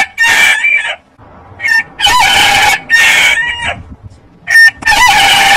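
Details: Rooster giving short, high, rasping crow bursts repeated with brief pauses between them. Several separate notes are squeezed and strained in tone.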